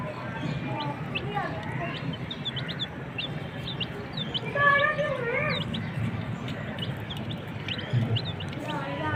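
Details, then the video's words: Native desi chicks peep in thin, high, scattered notes while lower, wavering calls rise and fall in the middle; constant low rumbling noise underneath. "MURGI CHICKS CHIRPING SOUNDS"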